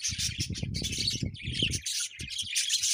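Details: High budgie chirping runs almost continuously over a steady low rumbling and thudding that fades after the first two seconds.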